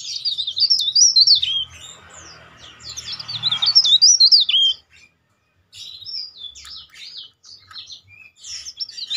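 A leaf warbler sings high, rapid, tightly packed twittering phrases with loud whistled trills.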